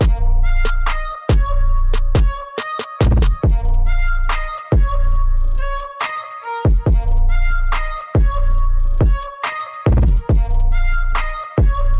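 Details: Only music: a strong drum-machine beat with deep bass thumps under sustained melodic tones, and no animal voice.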